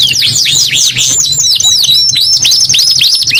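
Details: Canary singing a short burst of loud, high swooping notes in quick succession, each curving downward then up again, with a faint steady low hum underneath.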